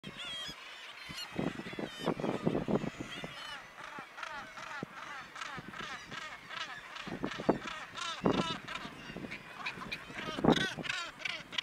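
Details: Black-legged kittiwakes with chicks on a narrow cliff ledge on Helgoland call over one another in a dense colony chorus, nasal and wailing, with harsh repeated notes rising and falling and no pause between them.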